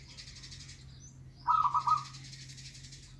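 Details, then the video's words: Local zebra dove song, used as a lure to prompt a reluctant bird to sing: a single short burst of rapid, pulsed cooing notes in the middle, with quiet background hiss before and after. "pancingan perkutut lokal malas bunyi"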